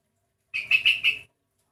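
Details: A sooty-headed bulbul with an unusual voice, unlike typical birds of its kind, gives a short phrase of four linked whistled notes at a steady, fairly high pitch.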